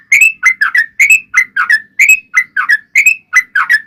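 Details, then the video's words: Yellow-vented bulbul in energetic, fighting-style long rolling song, used as a lure to make other bulbuls answer: bubbly two-part whistled phrases, each rising then dropping, repeated about once a second in a steady chattering run. "trucukan gacor TARUNG ROPEL PANJANG pancingan trucukan agar bunyi JADIKAN burung trucuk gacor NYAUT"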